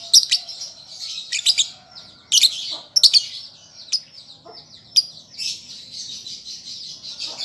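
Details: A young lovebird practises singing in this prompt recording: clipped, piercing chirps in small groups, separated by stretches of thin, buzzy, rasping chatter.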